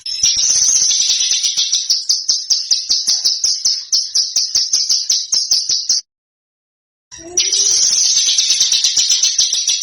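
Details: Small bird recorded as a master track to teach Indonesian contest birds new sounds: a sustained, very high, rapidly pulsing trill with regular accents, a one-second gap, then the same shrill trill resumes.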